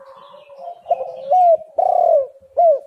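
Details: Spotted dove cooing on a recording meant to make doves call. A low hum leads into three loud coos, each sliding downward, the middle one longest.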